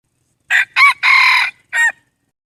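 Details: Wild red junglefowl rooster gives a crow of two brief raspy notes followed by a sustained harsh middle note and a short closing note, loud and clear against silence.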